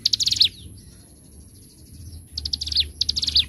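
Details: Bar-winged prinia, ngebren and nembak singing style for training birds: clusters of quick, high stuttered chirps ending in a falling slur, split by a soft, thin, level whistled note.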